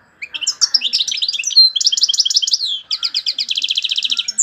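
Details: Vigorous European goldfinch song: jumbled twittering notes build into a long, evenly spaced rapid trill of bright, high chips.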